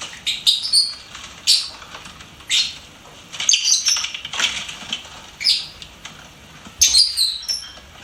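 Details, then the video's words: Pet lovebird chirping: sharp, high, clipped chirps given singly or in short pairs about once a second, some with a thin whistled peak, over a quiet background. "LOVEBIRD SINGING & CHIRPING SOUNDS"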